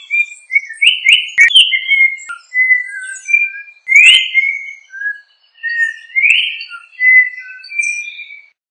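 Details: Yellow-backed oriole singing a series of clear, high whistled notes, some sliding up or down and some held steady, grouped in varied phrases with short pauses. A few sharp clicks are heard, in a quiet background.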